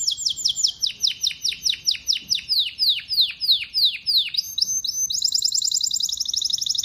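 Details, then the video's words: Domestic canary singing a loud, bright song: a run of rapid descending whistled sweeps, about two per second, shifting into a fast high trill and then a dense rattling trill at the end. "Melodies Canary Bird song"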